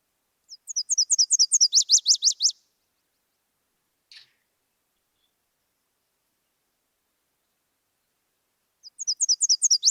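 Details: A Nashville Warbler in summer in southwest Idaho sings its song twice: high, thin, slurred couplets, then a faster, lower, more slurred trill.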